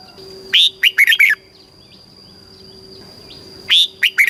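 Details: From Thailand, a red-whiskered bulbul gives song used to stimulate caged birds and teach chicks. A crisp phrase of five fast, slurred whistles is followed by quiet, then the same phrase begins again, with a faint continuous hum behind it.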